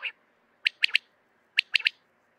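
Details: Male common quail calling to gather other quails: two loud three-note bursts, each a sharp note followed by a quick pair, bright and clipped, about a second apart, with one lone note at the start; otherwise quiet.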